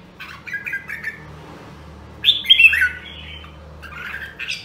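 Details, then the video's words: A rare Nam Dong, Hue red-whiskered bulbul in voice practice gives soft scattered chirps, then a loud sharp burst of slurred whistled notes and a fainter trailing phrase. "Luyện giọng Chào Mào Nam Đông Huế Hàng Hiếm Còn Sót Lại ! giọng cực chất"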